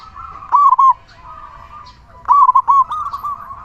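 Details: Strong-voiced local zebra dove whose cooing serves to lure and excite other doves into calling; two quick rippling phrases of chopped, mid-pitched notes separated by about two seconds, above a continuous faint drone.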